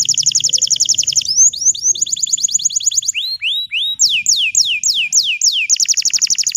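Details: Green canary singing as a tutor for young canaries learning their song: long runs of rapid repeated high notes broken by sweeping upward whistles, fast rolling trills repeated several times a second throughout.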